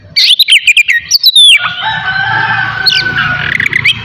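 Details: Kacer, the Oriental magpie-robin, singing in a morning session to trigger aggression and breeding urge in others; quick staccato chirps and a falling whistle, then a long, softer warbling trill with background hiss.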